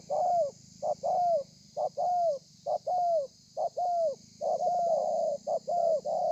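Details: Thổ pha cooing by a spotted dove on 30 November 2020: a fast, steady string of about seven paired coos, each a clipped note leading into a drawn-out, gently falling coo, above a faint electronic hiss.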